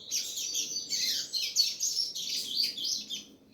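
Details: Double-collared seedeater singing a fast, continuous high warble of sweet and buzzy notes, delivered in short bursts with brief dips about every half second, clear and dominant over a faint low hum.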